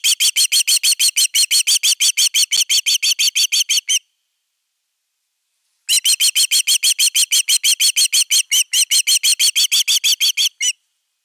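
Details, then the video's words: Osprey defending its nest on 31 August 2021, recorded by a nest camera: rapid, sharp, high whistled notes repeated about three times a second in a long burst, a two-second pause, then a second equally insistent burst. "Myy pesää puolustamassa"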